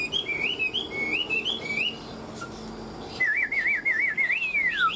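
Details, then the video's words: Tame hwamei praised as a good fighter sings 'ngũ trường' style: a string of short looping whistles, a brief pause, then a rapid wavering trill ending in long downward-sweeping whistles. "Họa mi ngũ trường"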